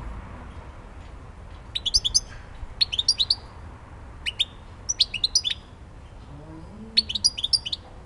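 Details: Goldfinch in Elbasan, Albania, producing brief repeated bursts of sharp, high tinkling chirps separated by short silences, over a quiet hiss and some faint lower background calls.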